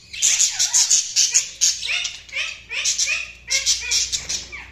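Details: Budgerigars chirp and warble continuously. High, scratchy chirps alternate with short, sliding whistled notes in quick phrases, with brief pauses between bursts.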